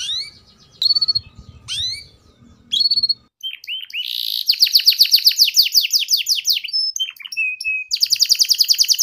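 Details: Canary song used as a tutor recording for young canaries learning the ngeriwik sound: sharp upswept whistles, then rapid trilled rolls of descending notes, a steady flat whistle and a final fast trill.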